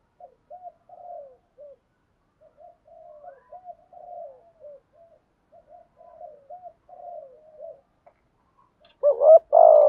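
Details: Decoy spotted dove used to lure others: a long run of soft, low cooing phrases near 500–700, some faint and distant-sounding, ending in two loud, strong coos.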